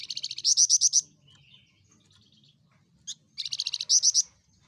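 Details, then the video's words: A loud-voiced, small insect-eating Javan fulvetta sings two bursts of rapid, high chattering notes, each about a second long and ending in stronger notes. A single sharp note falls in the pause between the bursts. "De flamboyante vogel is een kleine insectenetende vogel met een luide stem"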